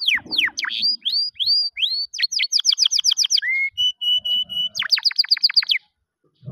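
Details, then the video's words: Canary song used for training other canaries: fast series of steep downward-sweeping whistled notes, then rapid repeated trills, a flat steady whistled roll, and another quick descending trill, about four notes per second. "Ultimate Canary Singing Video | Best Bird Sounds for Training | Powerful Canary Melodies"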